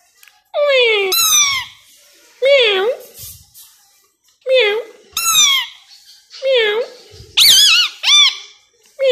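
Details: Tame 3-year-old male plum-headed parakeet talking, saying words such as "Mithu" in Urdu/Hindi, in short, squeaky, nasal, wavering speech-like phrases; about six bursts come roughly every one to two seconds, separated by quiet gaps.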